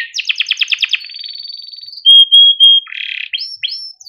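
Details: Male yellow canary in captivity, singing as a tutor for young canaries: a quick pulsed trill fading into a thin held tone, a loud pure whistle, a buzzy burst and two rising sweeps.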